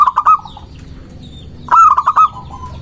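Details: Local zebra dove song used as a lure to provoke rivals: two bursts of rapid staccato coo notes, each trailing into a softer drawn-out tone, separated by a pause. Faint bird chirps are heard in the background.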